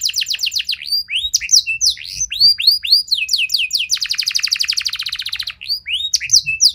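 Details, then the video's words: Canary singing intended to set other canaries off into long song: varied swooping whistles, a sustained rapid trill in the middle, then more sharp upslurred notes. "Kenari Mana Saja Bakal Nyaut Cepat Respon Jadi Gacor Nembak Panjang"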